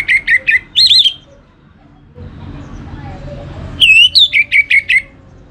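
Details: Orange-headed thrush singing a lure song to trigger other birds. A series of clipped whistled notes and a looping warble are followed by a pause with low rumbling noise, then another run of wavering whistles and repeated short notes.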